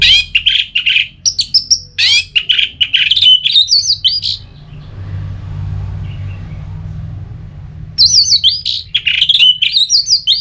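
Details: Ngeplong song of an orange-headed thrush, meant to provoke other birds to answer: two bursts of fast, varied chattering whistles and trills, separated by a pause of about three seconds filled with low rumbling background noise.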